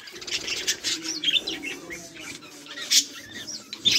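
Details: Several budgerigars chirping while playing, 24 July 2023: quieter scattered twitters and short sharp chirps over a low rustling background, with a louder squeak near the end.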